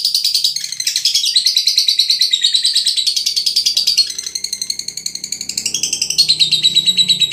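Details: Lovebird from Brebes, of the Veronica line, delivering a sustained stream of fast, high, chattering chirps and trilled phrases, nearly unbroken from start to end, with faint low background noise.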